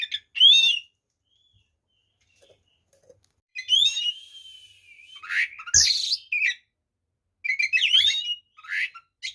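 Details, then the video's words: White-rumped shama delivering a varied song to rile other shamas: loud whistled phrases, a long gliding whistle, and harsh rasping bursts, broken by a silent stretch. "SUARA BURUNG kacer gacor TARUNG FULL ISIAN ini PALING AMPUH MEMBUAT KACER EMOSI"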